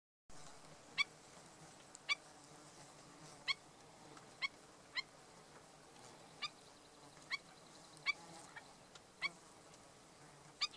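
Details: Black-necked stilt adult with chick at Bombay Hook National Wildlife Refuge; sharp, short yipping notes repeated about once a second, each a bright clipped bark, over a quiet, faintly hissing background.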